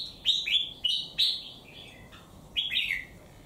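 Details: A three-month-caged wild-caught bird with a single white claw sings down a strong rival; a string of loud, clear whistled notes sliding downward, followed by a pause and then a rising and falling flourish.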